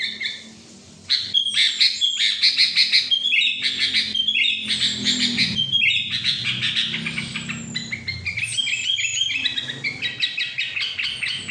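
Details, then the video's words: Sooty-headed bulbul in full ngetril trilling song: a dense, fast stream of sharp chirps and twittering notes, stuttered and repeated at a quick pace. The song starts after a brief pause and then runs almost without a break. "kutilang ngetril"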